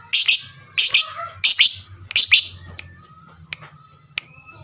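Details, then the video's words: Lovebird lure call meant to make listening lovebirds call back: four harsh, shrill chirps about two-thirds of a second apart, then quieter clicks and squeaks over a low hum. "pancingan lovebird paling pintar suaranya 99% jago bikin lovebird yang dengar terpancing rame bunyi"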